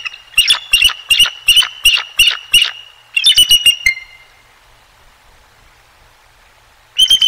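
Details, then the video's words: Bald eagles, the resident male and female, close at the Decorah North nest on a sunny 20 February 2023, give a rapid series of high, thin, squeaky chirps, about seven notes, then a quick chattering burst, a pause and more piping. "EAGLES VOICES"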